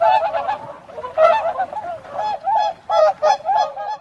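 A swan gives a run of nasal, trumpeting honks, short and harsh, several in quick succession with brief gaps, steady in pitch.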